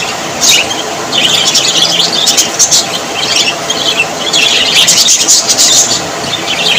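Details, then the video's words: Australian parrots identified as budgerigars warble and squeak in a lively flock, with bursts of sharp chirps and short whistled phrases overlapping continuously. "Australian parrots voice ☺️ Parrots very happy"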